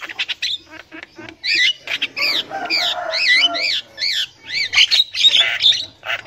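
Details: Javan myna song said to be from the wild, used as a lure for young birds; harsh squawks and chattering notes, then a run of paired rising-falling whistled phrases repeated about twice a second, ending in scratchy chatter.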